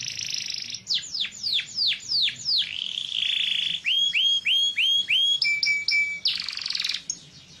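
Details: Song of a yellow canary: a buzzy tone, then descending whistled slurs, a rasping roll, a string of rising hooked whistles, a clear steady note, and a final buzz.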